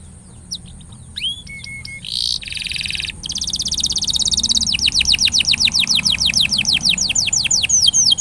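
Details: Canary singing as a lure for a quiet canary: a few scattered whistles and buzzy bursts, then a long, loud, steady trill of rapid high descending notes, about three per second, building in volume.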